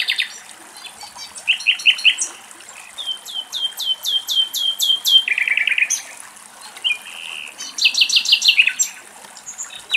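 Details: A Common nightingale in Greece sings rich, varied phrases: a run of about eight loud, rising whistled notes, quick dry rattles and high chirpy trills, separated by brief pauses.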